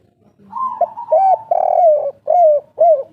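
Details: Cooing of a local spotted dove in the 'kuk 3' style: a level, softer lead-in note, then a sequence of mellow, bowed coos, one extended and rough, repeating roughly twice per second.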